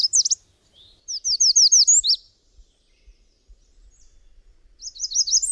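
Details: Subalpine warbler song: a short scratchy burst, then a fast series of high buzzy zigzag notes for about a second. After a quiet gap with faint clicks, another rapid chattering phrase begins.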